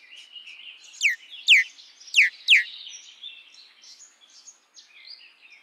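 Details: Common myna: four loud, sharp downslurred notes about half a second apart, sweeping from high to lower pitch, over and followed by a continuous high chattering and squeaky twittering.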